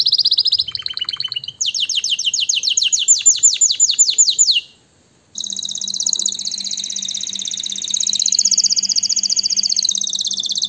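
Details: Canary song for stirring males and females to breed: varied high trills, a short silence near five seconds, then a long, bright rolling trill over a low steady hum.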